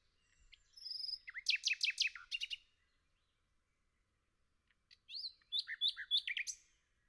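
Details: Nightingale singing in a forest: two bursts of rapid, loud, sharply descending notes, each burst a fast rattling series lasting over a second, separated by a quiet pause of about two seconds.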